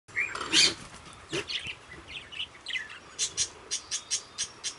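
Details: Pet budgerigars in an aviary; soft chattering warbles and short buzzy notes at first, then a series of sharp clicking chirps about every third of a second, fairly quiet and distant.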